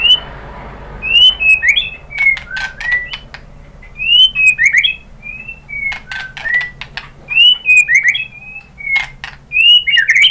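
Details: White-rumped shama singing as a lure to stir rival birds into response: repeated phrases of clear, swooping whistles mixed with hard clicking notes, each phrase about two seconds long and returning every few seconds over a low steady hum.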